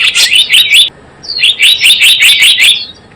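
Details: Java sparrow lure call for trapping: a short run of loud, high, clipped chirps, a silent gap under a second long, then a thin rising whistle leading into a longer chattering series of chips.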